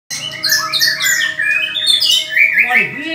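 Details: White-rumped shama singing during a mental test against a rival bird: a fast, dense run of bright whistled and chattering phrases with sliding notes, over a steady low tonal hum.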